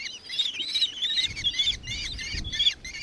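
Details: Nankeen kestrel calling in Victoria, Australia, on 4 December 2024: a rapid run of about seven shrill, slightly buzzy 'ki' notes with bright harmonics, each note short and sharp. A soft low rumble sits underneath.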